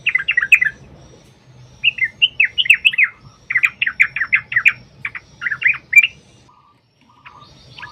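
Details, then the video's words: Sooty-headed bulbul giving long rapid fighting-style song, played as a lure to draw bulbuls into singing. Clusters of sharp, bubbly chirps come in quick runs separated by short pauses, with a faint low hum underneath. "TRUCUKAN TARUNG ROPEL PANJANG"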